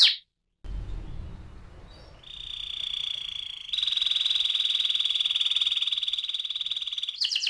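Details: AF canary rolling song: after a brief noisy start with low rumbling, a long steady buzzy trill of very rapid pulses holds one pitch for several seconds, growing louder midway.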